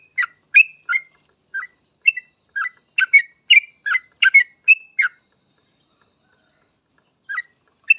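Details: Lively Yellow-vented bulbul singing to lure other bulbuls into song: a dense run of short, bubbly, whistled chirps that slurs up and down, then trails off into two scattered notes after a long pause. Clean background.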